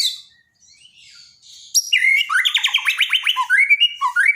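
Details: Borneo white-rumped shama song used as daily training for shamas that have stopped singing; after a quiet start, loud varied whistles burst in, then a rapid run of repeated sharp notes and rising slurred phrases.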